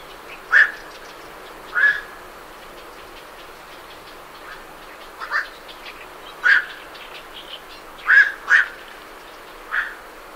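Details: Night herons calling as they leave their roost, recorded at medium close range: short, harsh, barking single notes at irregular gaps, a few in close pairs, over a steady background hiss. Great reed warblers sound faintly behind.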